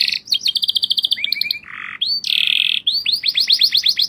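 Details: Lively canary song of quick stuttering notes, a low nasal buzz, a rising whistle, a loud dense trill, then a string of rapid upswept chirps.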